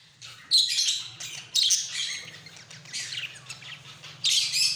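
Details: Mating budgerigars chatter in busy, high warbling bursts with scratchy chirps and squeaks.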